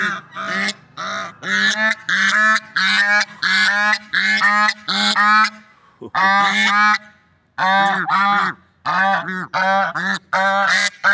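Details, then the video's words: Swans in nature calling in a long series of about twenty short, nasal, trumpet-like honks at an uneven pace, with one brief pause partway through. "Funny Sounds and Noises of Lovebird Swans in Nature"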